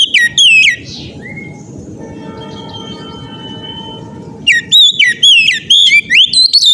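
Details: Oriental magpie-robin singing loudly to set other magpie-robins singing: two bursts of strong, varied whistled and slurred notes separated by a quieter pause with a thin steady tone and low rumble.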